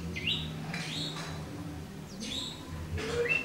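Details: Oriental magpie-robin (white-breasted kacer) singing alone in the morning: a few clear, rising whistled notes and short slurred phrases with gaps between them, over a low steady hum.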